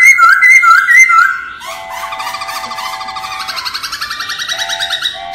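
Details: Laughingthrush song in the forest style, used as a voice-training recording for caged birds: three clear whistled, wavering phrases, then a long run of rapid buzzy trilled notes with rich overtones.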